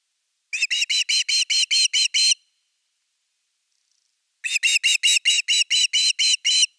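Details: Osprey at the nest with the evening fish, 30 August 2021. Two long bursts of about nine and twelve rhythmic, whistled, piping notes are separated by a two-second gap.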